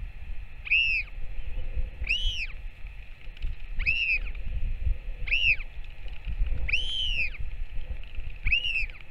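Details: Northern royal albatross feeding a chick, 21 May 2024: six evenly spaced arched whistles, roughly every one and a half seconds, each a quick rise and fall, with gusty low wind throughout.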